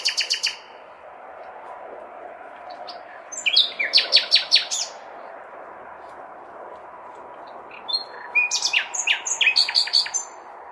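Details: Male common nightingale in full song on a May night in a big city, calling for a mate: rattling series of loud repeated clicks, then a quick run of varied notes with pauses between, under constant low city drone.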